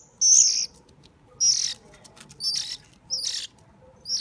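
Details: Hand-fed hungry bird producing four loud, scratchy high-pitched begging bursts at uneven intervals of about a second, the first two strongest.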